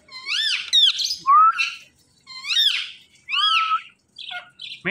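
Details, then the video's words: Flock of Indian ringneck parrots in a natural setting: arched, screechy squawks that rise and fall sharply, given in paired bursts with a whistled falling note between and short gaps of silence. "Ringneck Parrot Flock Natural Sounds"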